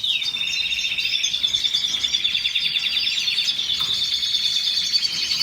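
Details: Canary singing a continuous high trilled song, with rapid pulsed rolls and buzzy sweeps layered over a steady high whistle, with no pauses throughout.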